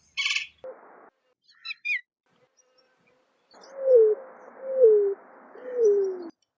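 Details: Greater roadrunner giving three low, soft cooing notes, each sliding downward in pitch, spaced about a second apart, preceded by a few brief high chirps and twitters from other birds.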